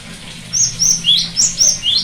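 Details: Cinereous tit song aimed at prompting a silent bird: a rapid run of seven notes, high flat whistles alternating with upward-sweeping slurs, over a soft background hum and hiss.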